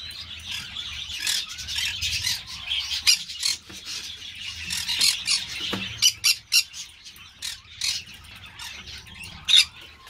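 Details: Green-cheeked parakeet (Pyrrhura molinae) chattering with rough, noisy calls, building into a string of short, clipped squawks around the middle and one louder shriek near the end.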